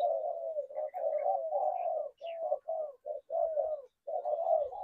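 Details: Spotted doves giving a steady stream of low, soft, burbling coos in short phrases separated by brief pauses, with faint higher chirps in the background.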